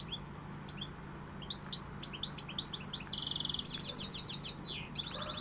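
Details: Pegada-style song of a European goldfinch, with quick liquid twitters and chirps building into a dense passage, a short buzzy note and a fast rolling trill near the end, all over a constant low background hum.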